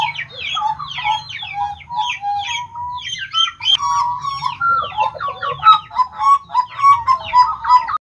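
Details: Hooded butcherbird (blorok), a captive bird singing vigorously, 29 October 2019: continuous, varied song of mellow whistles, slurred notes and chattering phrases, steady over a low background hum.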